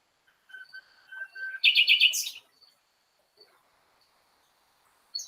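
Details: Common nightingale (Luscinia megarhynchos) song: a varied phrase in which clear whistled notes lead into a loud, harsh, buzzy burst, then soft high notes.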